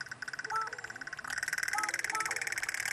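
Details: Several crows begging for food from the person who feeds them: a steady, fast stream of buzzy, pulsed nasal calls from overlapping birds, growing louder after the first second, with brief thin whistle-like notes mixed in.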